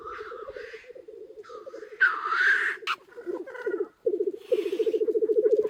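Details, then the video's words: Black grouse cocks displaying on the ground at an early-spring lek near a hide, several overlapping hissing sneezes mixed with a rapid, pulsing bubbling coo that grows louder toward the end. "Тетеревиный ток у шалаша"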